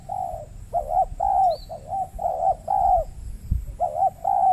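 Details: Wild spotted dove challenging a lure bird at a trapping site on peat soil in Riau Islands, Indonesia; mellow rolling coos in rhythmic two-part phrases, about forty per minute, with one brief thump.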